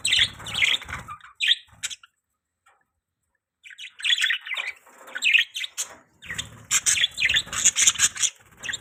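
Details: Pet budgies chattering with bright, scratchy chirps, a quiet gap of a few seconds in the middle, then a lively burst of rapid twittering notes.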